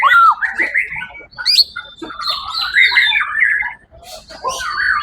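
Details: Winning white-rumped shama from a songbird competition held 1 October 2023, singing clear pure whistles, sliding slurs and scratchy notes with brief pauses between phrases.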